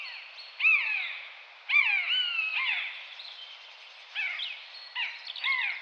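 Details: Common buzzard (Buteo buteo) making drawn-out, downward-slurring mewing calls, each about half a second long and spaced a second or more apart, with fainter shorter notes between.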